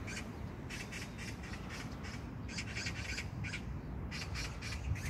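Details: Magpie in Jangdumot neighbourhood park, Gyeyang-gu, Incheon, June 19, 2022, giving clusters of quick, harsh chak notes separated by short pauses, against a low rumbling background.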